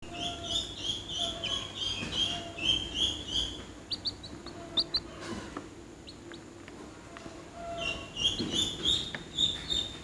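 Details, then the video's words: Domestic chicken chicks peeping: bursts of high, thin, downward-sliding cheeps in quick runs at the start and again near the end, with a quieter stretch of scattered clicks and soft taps between. "The sound of the chicks is funny, closer"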